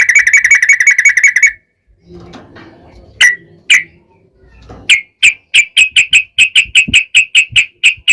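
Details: Yellow-vented bulbul in long, continuous rapid-fire song, used as a lure to make other bulbuls sing back. It opens with a steady buzzy tone, falls quiet, then rings out short bright notes, a few spaced, then repeated about three per second.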